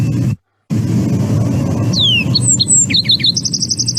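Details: A Lark Sparrow sings varied phrases of slurred falling whistles and buzzy notes, then a quick high trill, remixing its song so each rendition differs, over a steady low wind rumble. Lark sparrow.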